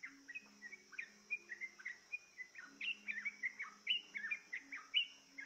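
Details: Yellow-vented bulbul lured into singing: a busy sequence of cheerful, gurgling whistles with slurred up-and-down notes, growing denser toward the end, against a constant high insect drone.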